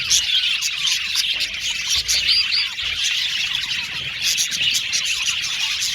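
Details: Male violet budgies in a colony aviary, busy overlapping chirps, whistled slurs and clicking chatter from many birds at once, with some lower warbling notes mixed in.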